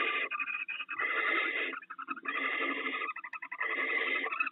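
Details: Pair of barn owls sharing rats at the nest in the early morning: near-continuous rough, breathy hissing in three long surges, broken by quick clicking ticks between them.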